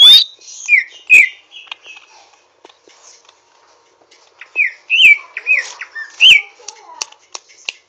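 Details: Rough 'ngriwik' twittering of a Greater green leafbird (Chloropsis sonnerati) learning to sing: loud downslurred whistled chirps, a quiet gap mid-way, then a renewed run of bouncing chirps and clicks.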